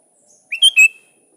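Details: One crisp three-note whistled phrase from a sooty-headed bulbul calling to a rival, the notes quick and ringing, with nothing else heard.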